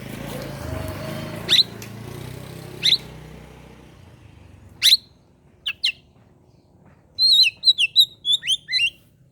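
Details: Oriental magpie-robin singing in the morning: a few sharp, isolated chirps, then a quick burst of high whistled, twisting notes at the end; a vehicle's rumble is heard in the first seconds.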